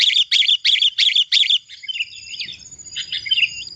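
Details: Sooty-headed bulbul singing in a lively, chatty style, recorded clearly as tutor material: five quick bright chirped bursts in a row, then softer slurred warbling notes.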